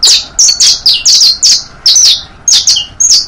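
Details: Saffron finch song for young birds to learn: bright, high chirps, many paired with a quick lower slur, in bursts with brief gaps, recorded close and loud.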